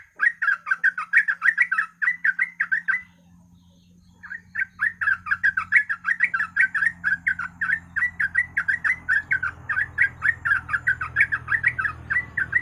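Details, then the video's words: Yellow-vented bulbul song serving as a lure to make birds sing: long runs of rapid, chattering, bubbly notes with a one-second silence early on, and a low mechanical hum growing beneath the later phrases. "TRUCUK GACOR,TRUCUK ROPEL,PANCINGAN BURUNG TRUCUK AGAR GACOR DORR"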